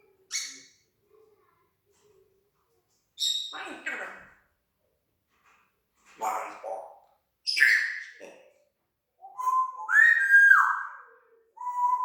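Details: Pet parrot talking with mimicked sound effects: a string of short speech-like bursts and squeaks separated by pauses, ending in clear whistled notes that slide downward and then hold steady.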